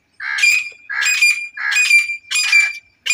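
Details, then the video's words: Female grey francolin giving a series of four loud, harsh, grating calls, each about half a second long, repeated roughly every 0.7 seconds, with a thin steady whistle-like tone running underneath. "مادہ تیتر کی آواز | تیتر کی بولی"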